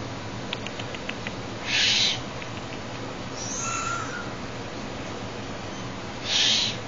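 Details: Juvenile Tengmalm's owl in captivity, frolicking with a hand: a few faint clicks, then a sharp breathy hiss, a softer drawn-out rasp, and another hiss near the end.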